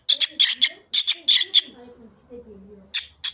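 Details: A pet cockatiel imitates Turkish speech such as "cici kuş" and "babacığım": harsh, scratchy bursts of five or six quick syllables, pausing briefly before another run of raspy, speech-like sounds.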